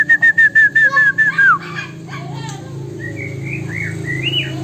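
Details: Magpie robin in captivity, its song stuffed with borrowed Poksay Hongkong and Wambi phrases: a rapid run of clear, even whistles on one pitch, a few lower chirps, then soft rising warbled notes, with a low background hum.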